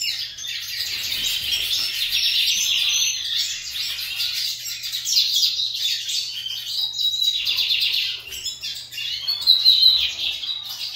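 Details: Several lined seedeaters sing against each other in an unbroken, dense, high twittering chorus. Rapid trills and short whistled notes overlap throughout.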